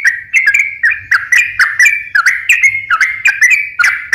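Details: Sooty-headed bulbul (trucukan) song used to coax reluctant or stressed birds into singing: quick run of short, liquid whistled notes, each dipping then rising, repeated several times per second.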